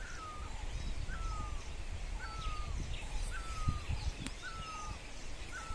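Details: Bird calling at sunrise in Dharamshala: a clear whistled note dropping then gliding level, repeated about once a second, with faint chirps from other birds and a low background rumble.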